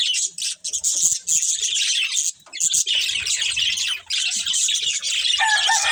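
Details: A pair of breeding budgerigars twitter in dense, rasping bursts, briefly pausing, then resuming; a steady whistled note appears at the close.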